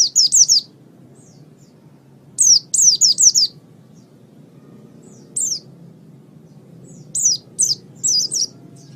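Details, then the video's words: Master training recording of Oriental white-eye: high, sharp chirping notes in quick groups of three or four, then single scattered chirps, separated by short silences over a quiet low background hum. "raja masteran pleci"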